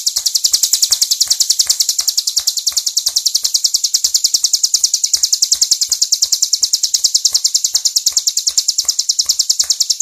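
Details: Hill prinia, a tame bird, delivering vigorous, unbroken klowor-style song: a long, steady rattle of high, clipped, buzzy notes repeated rapidly and evenly throughout, with no pauses and little else heard.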